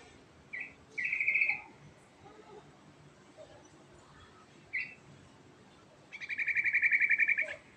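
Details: Yellow-vented bulbul (trucukan) song in rolling style. Brief bright phrases open it, then a sustained rapid trill of steady repeated notes near the end, over light background hiss.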